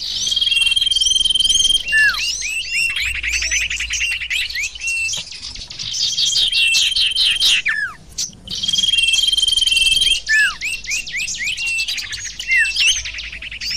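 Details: Sirtu bird calls played as a lure: fast buzzy chirp trains, level piercing whistles and swooping downward notes, repeated in two long dense bouts separated by a short drop in volume.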